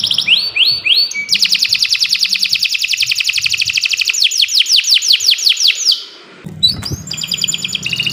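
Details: Canary training song for birds that have stopped singing: a few descending swoops lead into a long, fast, steady trill, then sweeping notes, a brief pause and a low thump before the singing resumes.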